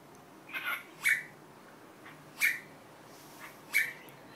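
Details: Cockatiel repeating its learned Korean greeting 'annyeong' in a quiet room: sparse, sharp, squawky syllables, four clear ones spaced roughly a second apart.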